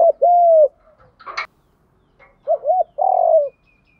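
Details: Spotted dove song in the 'giọng đồng pha thúc gù' style: a long falling coo, a sharp clattering click burst, then a double hooked note and a throaty sustained coo.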